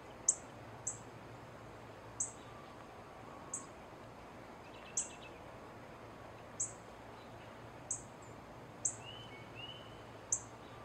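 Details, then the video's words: Female northern cardinal repeating sharp, high chip notes every second or so, with a brief faint trill and soft whistled notes from another bird in the background. "Female cardinal call / song / sounds"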